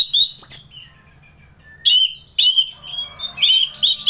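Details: Orange-headed thrush in ngeplong song: bursts of bright, slurred whistles separated by short pauses, with rich overtones in the louder phrases.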